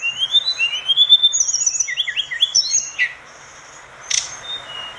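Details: Lively orange-spotted bulbul song meant for teaching other birds: a rising series of clear whistles runs into fast, tumbling, slurred phrases, followed by a quiet spell and one sharp, sudden chip near the end.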